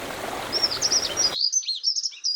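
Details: Grey wagtail by the Tállara river at the hamlet of Xei, Noia: a run of sharp, high thin chirps and short twittering notes, first under a steady broadband rush of flowing water that abruptly drops away, leaving the notes clear.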